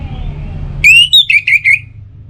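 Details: Loud orange-headed thrush whistles for luring other birds to sing mornings and evenings: a drawn-out rising note, then four brisk, slightly falling notes, with low rumble before and after.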